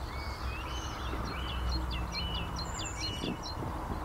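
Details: Eurasian skylark song with traffic in the background: a few drawn whistles followed by a quick series of sharp, evenly spaced chirps, with low traffic rumble throughout.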